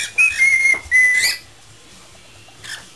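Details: Whistling pet parrot improvising, with a short note, two long level whistles, then silence and a final brief rising whistle.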